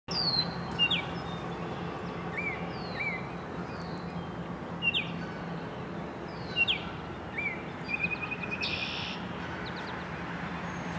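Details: Male Baltimore Oriole singing from a treetop at Lynde Shores, Whitby, in summer: clear, short whistled notes, some slurred downward, in scattered phrases, with a harsh chatter near the end over a steady background hum.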